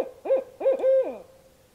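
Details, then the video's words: Barred owl pair calling in the dark one evening while camping in north central Kansas, thought to be mating calls; three strong hooting notes, the last drawn out and sliding down at its end, over a quiet night background. "Barred Owls Calling at Night"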